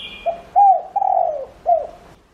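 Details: Spotted dove used as a decoy, cooing to attract wild doves. One clear phrase of four soft, low, hooting coos, the third note drawn out and slurring downward, with a faint high tone at the start.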